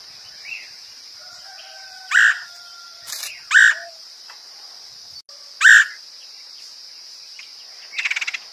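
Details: Woodpecker lure recording: loud, harsh single call notes, three strong ones spaced a second or two apart, with a faint thin whistle and a steady shrill insect hum behind.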